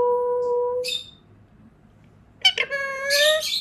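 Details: Pet Indian ringneck parakeet saying "peekaboo" indoors; a clear whistled tone held nearly a second, a pause, then sharp clicks and a rising, harmonic-rich voiced phrase.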